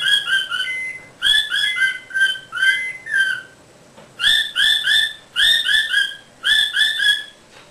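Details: Pet Quaker parrot indoors giving clear whistled notes in short runs of three or four, each note slightly falling, the runs repeated after brief gaps; quiet room otherwise.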